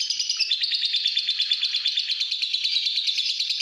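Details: Home-kept pastel green fighter lovebird in long-duration ngekek: a dense, shrill stream of fast buzzy pulses that dips slightly in pitch after half a second, then runs on evenly without break.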